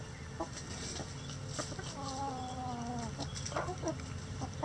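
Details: Chickens in a sunny backyard coop with many roosters: scattered clucks, then a sustained harmonic call held for over a second, falling slightly, followed by more brief clucking.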